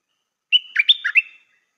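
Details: Clear song from a new decoy Stripe-throated bulbul: a held whistled opening followed by a quick string of throaty, warbled notes, ending abruptly with nothing else audible.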